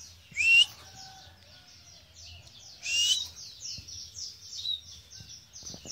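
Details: Sumbawa white-eye with blotched plumage singing: high, thin twittering notes in quick downward-slurred series, with two louder bright bursts near the start and middle; faint low rumble beneath.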